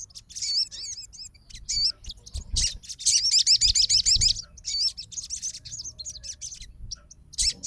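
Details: A fighter Crimson sunbird reacts straight away to a rival's song: quick high twitters build into a dense rippling trill lasting over a second, then thinner chips trail off.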